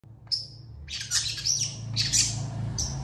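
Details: Long-tailed shrike in lively, emotional song that other shrikes answer quickly: a thin high whistle, then harsh rasping bursts repeated at irregular intervals.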